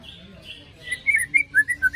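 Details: White-rumped shama after moult, lure recording: soft hissy notes followed by quick, descending clear whistles in short bursts.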